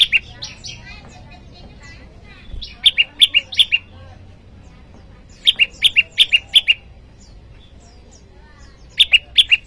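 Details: Varied calls of a bar-winged prinia, locally prenjak lumut or ciang-ciang, used to lure wild birds and train caged ones by calling a rival: irregular clusters of squeaky chirps shifting in pitch, in three separate groups.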